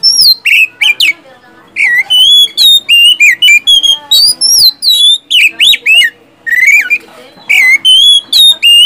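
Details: Oriental magpie-robin (kacer) in full, lively gacor song with ngeplong, siulan and tembakan phrases, meant to lure silent caged birds into singing: loud clear whistles, sliding notes and rapid chips in dense bursts with short gaps.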